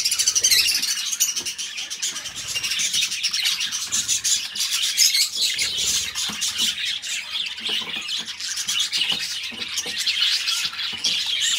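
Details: Budgies producing a long unbroken warble, a hissy, buzzy chatter of rapid chirps with scattered faint tapping.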